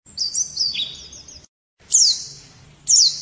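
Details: White-eye in the morning giving short, high, sweeping twitters separated by brief pauses, with faint low background hum.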